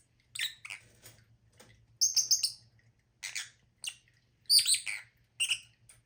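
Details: Lovebirds chattering with a series of piercing, raspy high chirps and squawks, some doubled or in short clusters, spread irregularly; low hum throughout.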